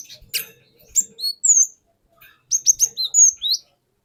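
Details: Cinereous tit lure song from a wild bird: scattered high slurred whistles and a short quick run of sharp notes, with faint ticks at the start.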